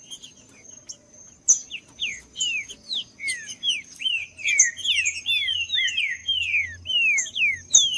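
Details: Trinca-ferro (green-winged saltator) singing to stir up a quiet bird. Soft at first, the song builds into loud, quick downslurred whistles, about two per second, with a faint high steady tone behind.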